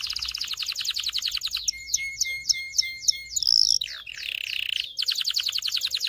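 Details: Excited canary singing to stimulate males to sing and females to mate: a quick rolling trill gives way to repeated slurred notes, a loud rising whistle, a buzzy burst, then another fast trill.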